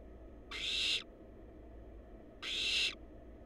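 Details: Young wild barn owls at a monitored nest box on camera produce two strong, breathy screeching hisses roughly half a second each, separated by nearly two seconds of low steady hum.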